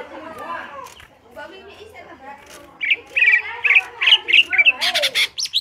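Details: Greater green leafbird in full song in the ngentrok style, kept as a reference for training other birds: faint jumbled phrases, then a quick run of sharp, warbled notes high in pitch, repeated about twice a second.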